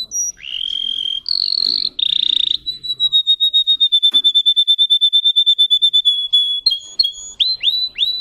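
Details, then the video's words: Russian canary, a breed kept for singing, whose song holds 10-15 high variations: a few short whistled phrases, then a long fast trill of even clicking notes on one steady high pitch, then rising upturned notes at the end. "The singing of a canary. Melodies Canary Bird song"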